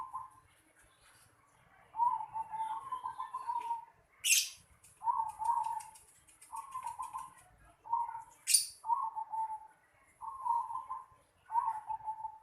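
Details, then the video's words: Zebra dove in a house yard giving soft, mid-pitched cooing phrases, each a short burst of rolling notes, repeated roughly every second or so, with two brief sharp high chirps from another bird in between. "Suara burung perkutut di halaman rumah"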